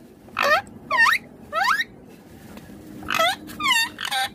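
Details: Indian ringneck parakeet, green, talking in two groups of three rising, rasping harmonic syllables with a short pause between the groups.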